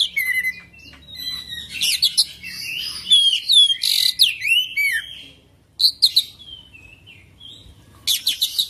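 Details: Oriental magpie-robin delivering a rich, rolling song of mixed notes: sweeping whistles, rapid trills and harsh chattering bursts, a short pause, then fresh bright chirps.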